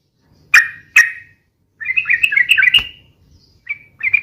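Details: Noisy fast song of a sooty-headed bulbul (trucukan), used to lure and tutor birds: two loud harsh chirps open, then a burst of quick bubbly warbling notes and a couple of short trailing calls.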